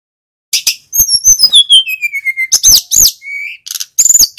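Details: After a half-second hush, a male mountain flycatcher starts a run of high clicks that slide into a long series of falling whistled notes, then ends with buzzy chirps. Meant as lure song for other birds.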